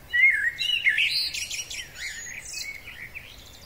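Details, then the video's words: Male blackbird in spring delivering a rich, mellow warble that slides up and down before dissolving into scratchy, high-pitched chattering notes. "Kos samiec, piękny wiosenny śpiew."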